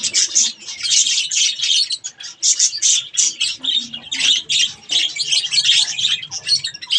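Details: Budgerigars chattering while eating strawberries: continuous busy high chirps, warbles and squeaky notes from several birds, overlapping without pause.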